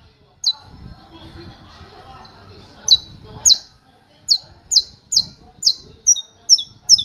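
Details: Saffron finch in canto martelo ('hammer song') style: after a pause with low background rumble, a run of about nine sharp, high, downward-slurred notes comes in a steady, quickening hammering series.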